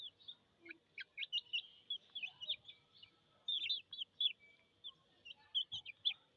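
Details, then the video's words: Thirsty chicken chicks peeping steadily: high, thin, downslurred cheeps overlap in a continuous busy chorus of many birds, with short pauses between bursts and little other sound. "MURGI chichs chirping sounds with thirst"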